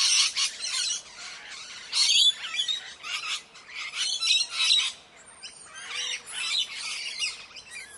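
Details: Indian parrots giving harsh, raspy squawks in irregular bursts about every second or two, several birds overlapping, with short quieter gaps between outbursts.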